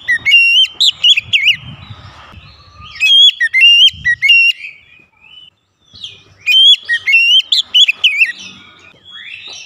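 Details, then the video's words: Aggressively provoked oriental magpie-robin: three bursts of rapid loud whistled phrases with sharp pitch jumps and chips, separated by short pauses, with low thumping noise in places. "pancingan Kacer langsung emosi"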